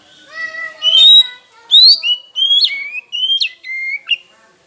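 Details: Oriental magpie-robin (kacer) song used as a lure to provoke rival birds into singing: clear whistled notes, a long steady whistle, then a series of sliding, stepped phrases dropping and rising between high pitches.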